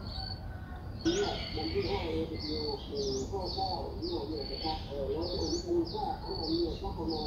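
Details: Streak-eared Bulbul nestling, six days old, in Ubon Ratchathani, Thailand, on 8 April 2023: thin high squeaky notes, bent and slurred, given in a steady stream, over lower chattering sounds and a constant low rumble.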